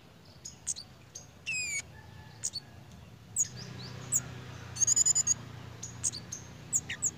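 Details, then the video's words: Pied fantail in breeding condition: a falling whistle early on, then a quick burst of repeated high chips amid many short sharp squeaks. "BURUNG KEMADE / CIGEN SEDANG BIRAHI,LUCU JUGA TINGKAH DAN BUNYINYA"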